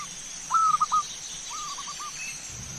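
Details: Zebra dove song played as a lure for other birds: two soft, fairly distant phrases of a drawn-out coo followed by a quick rippling run of short descending notes, against a noisy background hiss.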